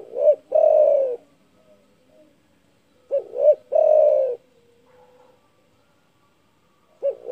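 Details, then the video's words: Spotted dove in full voice, calling to provoke rivals: a phrase of two brief coos and a longer sliding coo, repeated about every three seconds, with two complete phrases and a third starting. "DERKUKU GACOR DOR SUARA BESAR MEMBUAT EMOSI LAWAN"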